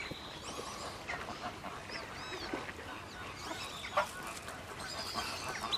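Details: Australian wood ducks at WWT Slimbridge give nasal, mewing calls that rise and fall in pitch, mixed with other bird calls in a busy background.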